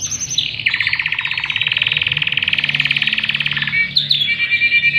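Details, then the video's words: Tutor song of a Panda canary for young birds and quiet singers: a long, fast buzzy rattle held for about three seconds, followed by short bright whistled notes. "Masteran Kenari Paud dan Pancingan Kenari Malas Bunyi || Kenari Panda Cengkok Super Mevvah"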